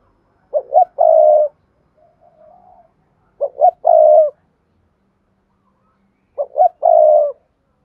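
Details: Spotted dove lure coo, meant to make silent doves start calling: three matching phrases about three seconds apart, each two quick low hoots followed by a longer, throaty coo, with a soft quieter coo in one gap.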